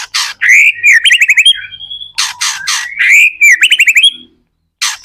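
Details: White-rumped shama singing vigorously, meant to spur other shamas into answering song: loud harsh bursts alternating with rapid rolling trills and a sustained high whistle, repeated in two phrases separated by brief silence.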